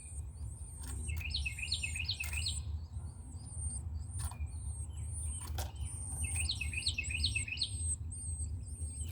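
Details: Carolina wren nestlings in a nest built on an outdoor shelf, being fed: two bursts of rapid, chattering chirps, with thin high whistled notes repeated throughout over a steady low rumble.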